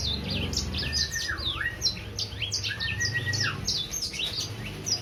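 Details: A three-month-old Sangihe hanging parrot in continuous song: bright, high clipped chirps run throughout, broken by lower whistled notes that dip and rise, with a steady low rumble behind.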